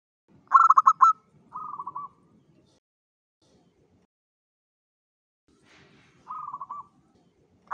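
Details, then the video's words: Zebra dove of a local strain singing at dawn as a lure call: a loud clipped series of pulsed coos, a softer rolling trill, a long quiet pause, then another soft rolling phrase. "PANCINGAN SUARA PERKUTUT LOKAL GACOR SUBUH"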